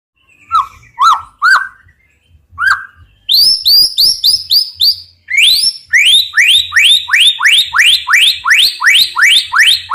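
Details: White-rumped shama singing a full, varied song used for tutoring other birds. Whistled downslurred notes at first, then a fast series of bright rising upsweeps, repeated about three times a second.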